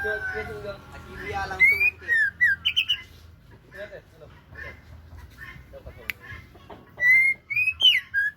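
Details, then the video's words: Female Aceh-type white-rumped shama, murai Aceh, singing varied whistled phrases: rising and falling slurs and soft chatter, a pause, then a loud burst of rising and down-slurred whistles; brief human voice at the start. "Murai Aceh - Betina Super"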